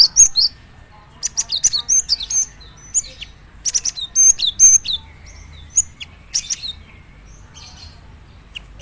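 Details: Lively Java sparrow singing aimed at spurring other Java sparrows to sing: recurring clusters of high, tinkling clicks and short whistles across nearly nine seconds, with brief gaps between phrases.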